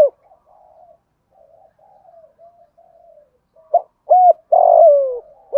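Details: Spotted dove cooing in the thúc gù and gáy gọi styles, described as a hạp bổi voice: soft, low murmured coos over the first three and a half seconds, then loud hooting coos with a final long, drawn-out, falling note.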